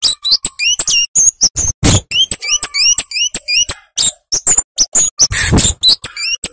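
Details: Cabe-cabean, the Indonesian name for a flowerpecker, sings a continuous gacor series of short, very high, sharply inflected chirps, about three per second, broken by a few broadband noisy bursts.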